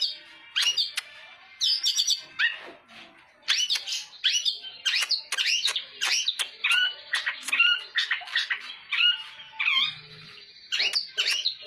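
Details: A captive long-tailed shrike from Cipanas, Cianjur, recorded as a lure to prompt other shrikes to sing, gives a fast, scratchy jumble of harsh chatters, squeaky whistles and mimicked notes in rapid bursts with short pauses.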